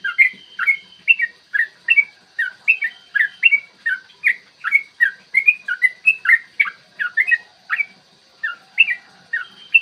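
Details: Extended 'ropel' song of a yellow-vented bulbul, used to excite birds into song and fighting: a sustained stream of liquid, warbling whistles, rapidly repeated with slight pauses, nearly ten seconds long.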